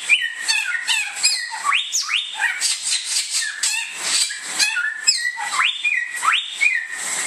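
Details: Bare-throated whistler, a native Indonesian bird known locally as samyong, singing loud whistled notes that sweep steeply upward then level off, repeated in quick phrases over a dense layer of high chirps and a steady hiss.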